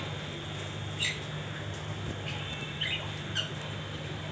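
A budgerigar gives a few short, scratchy squawks over a steady low hum.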